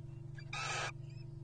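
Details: Little Owl pair courting at a wild nest box, 2023. A faint short rasp comes first, then a louder hoarse screech of about 0.4 seconds with a thin tonal streak. Steady low hum throughout.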